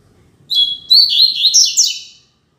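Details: Classic Tui Tui Zel Zel style song of a double-collared seedeater, used for tutoring young birds: one quick phrase of about 1.7 seconds of high twittering notes, opening with sliding whistles, then a run of rapid buzzy chirps, in a quiet background.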